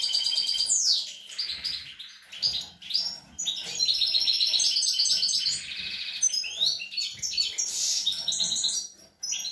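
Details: European goldfinch feeding its young, 25 April 2021; long rambling song of fast tinkling twitters, nasal buzzy phrases and downward-swept notes, briefly dipping in volume around two and three seconds, ending after a short gap.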